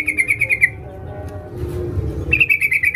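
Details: Female sooty-headed bulbul calling a male with the sharp, fast 'ngalas' call used as a lure: a short string of about six high chirps, a pause of low hum, then another quick string.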